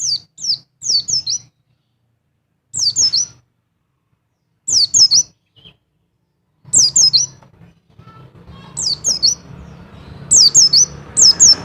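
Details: Double call of a mountain white-eye, played to lift a male's mating urge: clusters of three or four descending high notes every couple of seconds, with rising hiss and noise toward the end.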